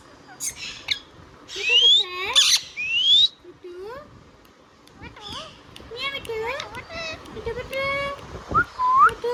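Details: Pet Indian ringneck parrot mixing loud rising whistles and squawks with a run of speech-like, child-voiced talking syllables.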